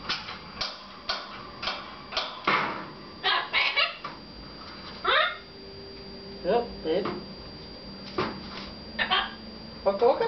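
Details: Pet male red-fronted macaw talking at home while its owners talk back; a string of short speech-like phrases and squawky syllables, some sliding upward, spaced about half a second apart, mixed with a woman's voice indoors.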